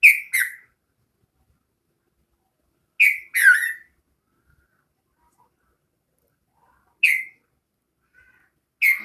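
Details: Bulbul calling: paired short, harsh-edged notes that slide downward, repeated in bursts every three to four seconds, with silence between.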